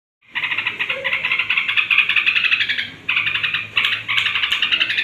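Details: Straw-headed bulbul singing toward bedtime, meant to rouse other bulbuls: a loud, dense, bubbling warble in continuous rich phrases, broken by brief pauses near the end.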